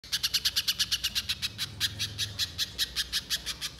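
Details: Banana spiderhunter, used as a lure to make a bird sing, giving a fast string of sharp, harsh chattering notes, around three per second, steady in pitch with slight swells in loudness and a faint low hum behind.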